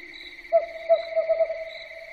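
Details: Night-time owl: five quick, short hoots on one mid pitch, slightly uneven in spacing, against a continuous high insect-like whine.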